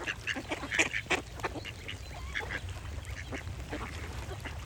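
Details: Duck quacks come fast and irregular, several harsh bursts per second, the loudest near the start, over constant background noise.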